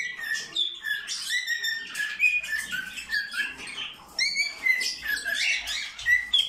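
A cockatiel sings a lively run of whistles and chattering warbles, nearly continuous throughout.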